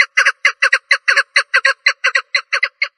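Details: Female partridge uttering rasping calls as quick double notes, pairs coming about three times a second, clean and close with no other sounds.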